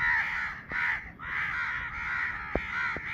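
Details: Baby crow calling: harsh, nasal caws blur into a near-continuous stream, with brief dips in loudness about every half second and a few faint clicks underneath.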